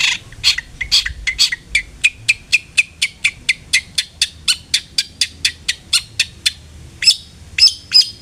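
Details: Long-tailed shrike lure for prompting song: long, steady run of quick, sharp chattering notes, roughly three per second, with a brief pause before louder, higher scratchy notes.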